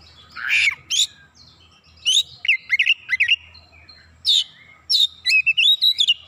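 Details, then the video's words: Kacer, the oriental magpie-robin, singing vigorously in gacor fashion with isian filler phrases: harsh rasps, quick zigzag whistled notes in rapid series, and a clear looping warble of rising and falling whistles at the close. "PANCINGAN KACER LANGSUNG GREGET GACOR BONGKAR ISIAN"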